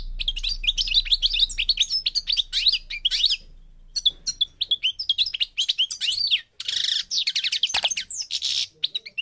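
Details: Moroccan goldfinch of the parva form singing a long, rapid twitter of swooping chirps, including a harsh buzzy burst near the end, over a low steady hum at the start.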